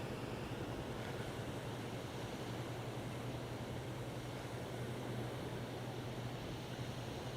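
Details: Broad roar of surf and distant engine hum with a steady low drone, no birds calling.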